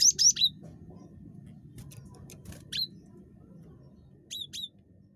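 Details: Cinereous tit (gelatik batu) described as highly talkative, recorded for luring other birds into calling. Scattered brief, thin, high chips and flicked notes in small groups, with quiet gaps and faint low background noise.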